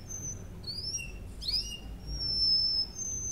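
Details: Russian canary (Serinus canaria) song meant for training: sparse thin high whistles, a few short rising sweeps and a quick upward flourish over a low background hiss.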